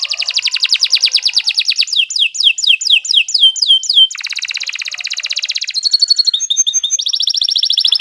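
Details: Kenari 86 canary singing at length as a tutor for beginner songbirds: dense rapid trills alternate with runs of downslurred whistles and sustained buzzy rolls, shifting pattern every couple of seconds.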